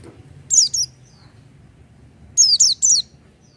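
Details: Oriental white-eye (pleci) singing actively without doping: two short bursts of thin, very high chirps with rapidly falling notes, then a pause and three more quick tumbling bursts, over faint low background hum.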